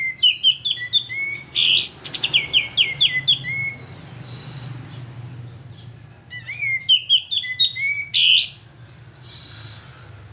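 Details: Lure song of a male sooty-headed bulbul, loud and lively: quick runs of stepped descending whistled notes alternating with short harsh buzzy bursts, phrases repeated twice.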